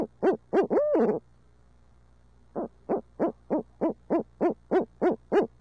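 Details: Part of a long barred owl hoot fest in midtown Tulsa: two quick hoots and a drawn-out wavering call, a silent gap, then a steady run of about ten rapid hoots.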